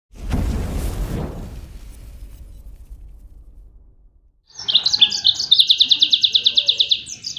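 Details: Yellow-fronted canary singing in the tembakan style, used for training other songbirds: after about four seconds of low rumbling noise, a rapid high series of sharp repeated chirps bursts in and runs to the end.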